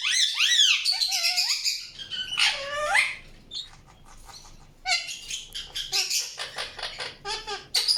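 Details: Indian ringneck parakeet chirping: bursts of harsh, rasping squawks mixed with looping whistled notes, busy and irregular, with quieter pauses between bouts.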